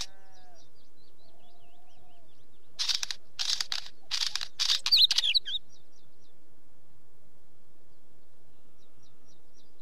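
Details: Wheatear delivering a burst of grating, scratchy notes that ends in a few sharp whistled squeaks, while another small bird repeats thin, high ticking notes before and after in quiet surroundings.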